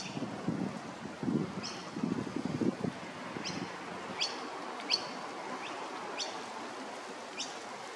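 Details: Young masked lapwing in Maroochydore, Queensland: about ten brief, high-pitched chirps scattered through the recording, with low rustling and thumping noise during the first three seconds.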